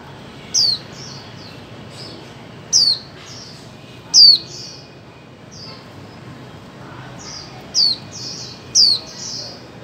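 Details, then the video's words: Female white-eye used to coax mute birds into singing: six shrill, falling high notes spaced irregularly, mixed with many softer short chirps and a low background hiss. "Khuyên mái 2024 hàng giành cho chim câm"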